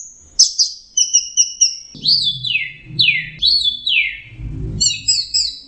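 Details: Orange-headed thrush singing: quick repeated double whistles, then loud descending slurred notes repeated three times, ending in a burst of high chirps, over low rumbling background noise.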